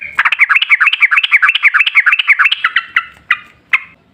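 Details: Yellow-vented bulbul in long 'ropel panjang' singing style, used as a lure to make other bulbuls sing; rapid bubbly notes about four per second for two and a half seconds, then a few spaced single notes.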